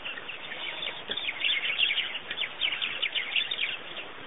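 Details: Chirping birds at Pete's Pond, Botswana, Africa: rapid, overlapping high tweets, roughly three per second, forming a busy, uneven chatter that grows louder after the first second.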